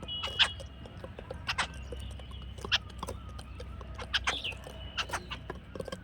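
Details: Harsh, rasping jungle babbler notes sounding in scattered bursts, with a brief whistled note between them and a constant low hum beneath.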